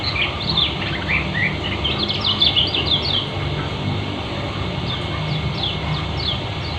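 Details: Fast, tightly packed twittering from a Lombok white-eye (kecial kuning) in ngeriwik style; a busy burst of high chirps early, then sparser sharp notes, over steady humming background noise.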